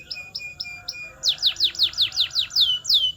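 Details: Canary singing, used to train other canaries to sing: four soft, short whistled notes, then a loud series of downward-slurred swooping notes repeated about three times a second.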